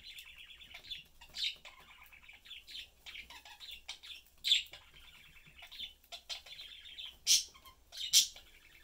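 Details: Pet budgerigar parents with their young chatting and eating; lively warbling chatter with repeated buzzy phrases and several sharp loud chirps toward the end.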